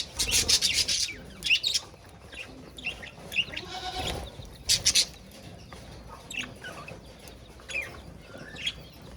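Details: Budgerigars sharing a cage with a rabbit give short bursts of scratchy, high chirping chatter at the start and again midway, separated by quieter scattered notes over a low background hum.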